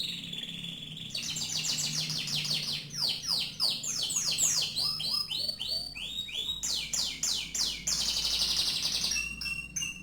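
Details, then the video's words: Canary delivering a long varied song: a steady high whistle, then rapid rolling down-slurred notes in rhythmic bursts, ending in a buzzy trill and short high whistles, low hum underneath. "kenari mirip sang legenda tc1"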